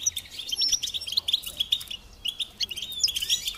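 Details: Goldfinch singing on a tape meant to stimulate songbirds: bursts of crisp, tinkling chirps in short clusters, separated by brief pauses, with a few thin high whistles.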